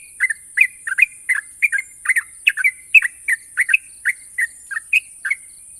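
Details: Sooty-headed bulbul, a national champion songbird, singing long sharp trills: a steady run of short bubbly notes around mid-high pitch, repeated about three times a second, with a constant high hiss behind.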